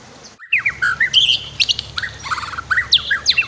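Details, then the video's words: Training master song of a white-rumped shama with river sounds: after a brief silence, a dense burst of varied whistles, quick slurred notes and buzzy high fragments follows in rapid succession. "MASTER KICAU MURAI BATU"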